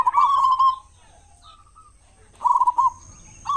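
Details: Local zebra dove, a vigorous loud singer used as a lure for other doves in the morning and evening: two short rolling coo phrases separated by a pause with faint softer notes, a third beginning at the end.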